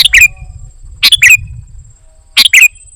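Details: Golden-fronted leafbird singing energetically with filler phrases: three short paired bursts roughly a second apart, each a harsh broad chirp followed by a slurred, slightly falling whistle, with a faint steady high tone behind.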